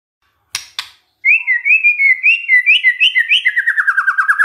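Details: White-rumped shama song used as a lure to provoke other shamas into singing: two sharp clicks, then a long run of bright whistled notes stepping around, ending in a fast descending trill of repeated rolling notes.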